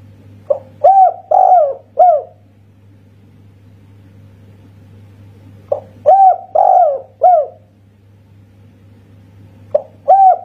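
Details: Kuk satu singing by a local spotted dove of Indonesia: phrases repeat roughly every five seconds, each a quick quiet note then three deep mellow coos, the second stretched and dropping. A low electrical-sounding hum continues throughout.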